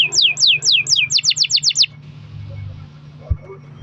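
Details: Canary lure song for stimulating other canaries: about nine loud descending whistled sweeps in quick succession, then near silence with a low hum and a brief thump.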